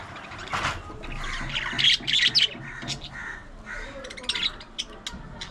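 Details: Pet budgerigars chattering while they play, squabble and groom: dense high squawks and scratchy warbles in uneven bursts, with a faint low hum underneath.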